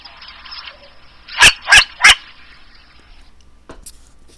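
A Long-eared Owl gives three harsh, barking alarm notes about a third of a second apart, then a couple of fainter notes over a steady background hiss.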